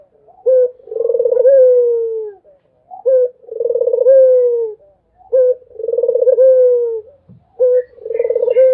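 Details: Persistent cooing from a Barbary dove in a quiet setting: a brief introductory coo, then a drawn-out pulsing coo that sags in pitch at the end. Four phrases repeat at an even pace.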